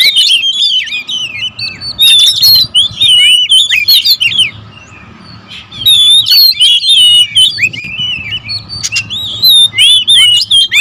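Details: Several oriental magpie-robins, birds that guard their territory, in an agitated singing exchange: bursts of bright whistles and chattering chirps separated by a quiet stretch near the middle.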